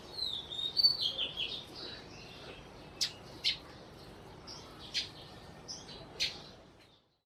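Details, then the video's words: Sparrows in Burma twittering in a rapid cluster of high chirps during the first two seconds, followed by four spaced, sharp single chirps about a second apart before the sound fades out. "Sparrows/ sparrow sounds"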